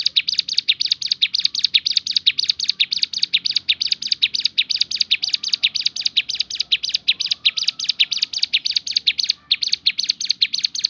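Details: Shooting-style song of a Javan sunbird, a long dense volley of high, piercing chirps pouring out almost without pause, with a brief break near the end.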